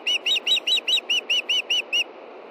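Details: Osprey female calling for fish at dusk, 22 June 2013, Montana, mate fishing close by; a tight run of ten sharp, slightly arched whistled chirps, each quickly repeated, over a constant low rumble.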